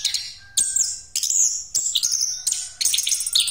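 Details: Orange-headed thrush in continuous 'ngeroll' song as a lure: high ringing whistles and fast chattering trills in phrases of about half a second, with a faint steady tone behind.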